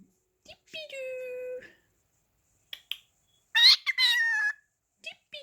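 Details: Indoor pet cockatiel mimicking the phrase "whatcha doing": a person's drawn-out spoken words come first, then the bird replies with a clipped, high, whistly speech-like phrase ending in a level tone.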